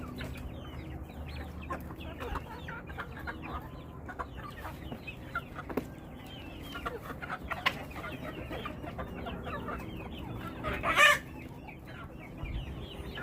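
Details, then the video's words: A flock of chickens clucking together, many overlapping short clucks and chirps throughout, with one louder sharp squawk near the end. "Beautiful sounds of our flock !!"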